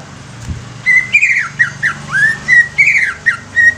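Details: Young greater green leafbird singing to encourage newly caught leafbirds: varied whistled notes, steady tones alternating with rising swoops and warbled slides, fast and loud over a faint low hum.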